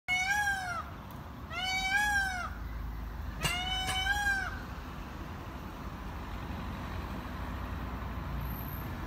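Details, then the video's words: Peafowl giving three loud, nasal, arching wails in the first four and a half seconds, each about a second long with rich overtones, plus one sharp click, then a steady low background hum. "Tavuskuşunun sesi"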